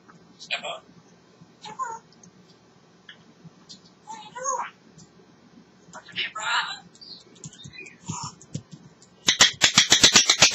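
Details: Talking African grey parrot, having a great time, utters several separate speech-like phrases with pauses between them, then ends with a rapid, even train of loud clicks.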